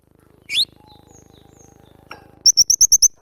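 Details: A cinereous tit, recorded for training cage birds, gives one rising whistle, then a fast, even string of six sharp high chirps.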